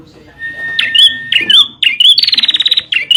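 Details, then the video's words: Bar-winged prinia, recorded for training caged birds: a few sharp rising chips with a thin steady whistle behind, then a short rapid buzzy trill and another rising chip. "SUARA PANCINGAN DAN MASTERAN BURUNG PRENJAK"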